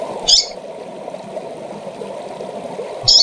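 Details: Female double-collared seedeater calling to excite and stir up males; two short, high, bright chip notes about three seconds apart over a steady low rushing background hum.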